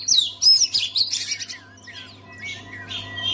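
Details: Oriental magpie-robin song played to stir silent magpie-robins into singing: loud, rapid high whistles and trills, then quieter scattered chirps over a steady low electrical hum.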